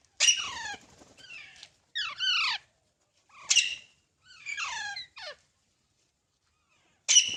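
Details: Baby parrots producing separate harsh, falling squawks, some doubled, with silent gaps of up to two seconds between calls in a quiet setting.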